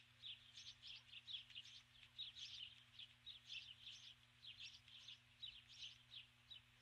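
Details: At dusk on the nest, a female osprey calls for her mate, who never arrives: a continuous chatter of shrill, high chirps in tight, quickly repeating groups.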